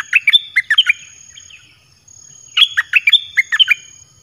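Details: Song of a caged red-whiskered bulbul, meant to attract wild birds: two lively phrases of loud, bubbling whistled notes, each about a second long, separated by a short pause, with a thin constant high tone behind.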